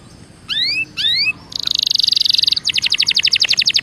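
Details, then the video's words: Belgian canary warm-up song: two rising double-toned whistles, then a dense buzzy trill and a fast rattling series of clipped notes, over a faint background hiss. "CANTO DE CANARIO BELGA PARA ESQUENTA"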